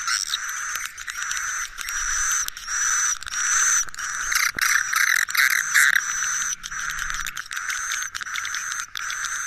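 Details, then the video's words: Swiftlet roosting lure sound: dense, buzzy chattering twitters in long bursts, broken by short gaps, over a steady thin high whistle that pulses on and off about once a second. "SUARA INAP TOP WALET"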